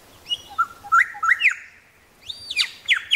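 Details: A Grey shrike-thrush in Tasmania gives some of its common calls: clear, ringing whistled notes in two bursts, with sharp rising and falling slurs and a few higher chips.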